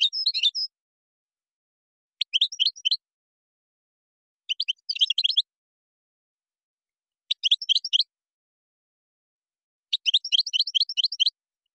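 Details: European goldfinch performing Moroccan song, gazrat and srrr bertbertiou: five evenly spaced bursts of rapid, repeated high chirps, each under a second, roughly every two and a half seconds.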